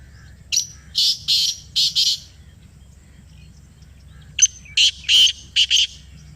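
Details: Black francolin responding to a played call. Two bursts of harsh, rasping notes: the first is four grating notes near the start, and after a pause comes a sharp lead-in followed by five more loud scraping notes.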